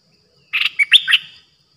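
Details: Single short bubbly phrase from a decoy Streak-eared bulbul dated 06/05/2022, three or four slurred, chattering notes in quick succession.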